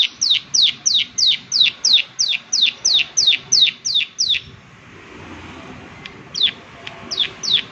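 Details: Strongly calling prinia, "klik klik" style: a steady series of about thirteen loud, high, down-slurred clicks, a quiet pause, then a few more scattered clicks.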